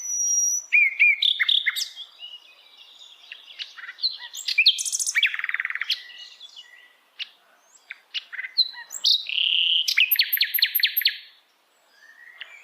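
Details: Wild flycatcher, locally called sikatan londo, singing in wild forest: a long varied medley of sharp chirps, buzzy trills and rapid high ticking runs, with short pauses between phrases.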